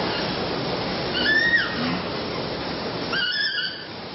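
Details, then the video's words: A group of lory birds talking and screaming: two harsh, squeaky screeches, one short and falling, a second longer and buzzier, over a steady hiss of room noise. "Lori Birds talking screaming"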